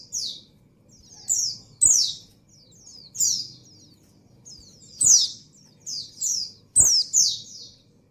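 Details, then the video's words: Female white-eye in breeding condition calling the male with high, thin downslurred notes, often paired, in uneven bursts with soft twittering between, over low background hum. "Suara Burung Pleci Betina Birahi Memanggil Jantan"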